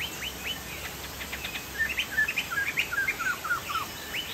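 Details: Chinese hwamei, a Sumatran bird, in lively song: scattered upswept notes give way to a rapid descending chain of clear whistles, about two and a half per second, against light hiss.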